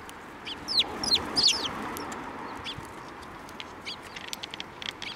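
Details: Sparrows arriving to be fed at a Tenmangu shrine, spring 2024; a lively run of downslurred high chirps in the first two seconds, then fainter rapid tweets over a noisy outdoor background.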